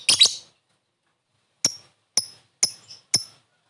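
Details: Calling lovebird, part of a training lure meant to draw a quick response: a doubled sharp, high chirp, then after a pause four short, high, clipped chirps spaced about half a second apart, on a silent background.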